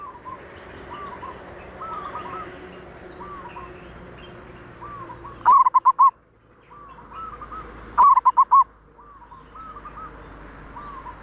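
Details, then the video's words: Zebra dove call recorded as a lure for wild doves: soft, repeated rolling coos throughout, broken twice by loud, clipped bursts of four or five quick staccato coo notes, with a steady low background hum. "suara perkutut paling ampuh utk pancingan perkutut liar"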